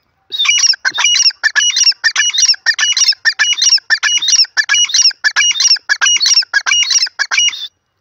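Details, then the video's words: Calling dakhni teetar francolin: a loud, fast, shrill series of harsh, squeaky phrases repeated steadily about twice a second for seven seconds, with no other sounds. "voice of mast dakhni teetar ki awaz"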